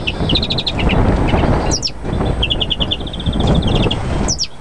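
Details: Excited European greenfinch singing in the mating season: quick bright trills and repeated chirping notes, cut by a harsh buzzy wheeze that slides down twice, over a steady low rumble of background noise.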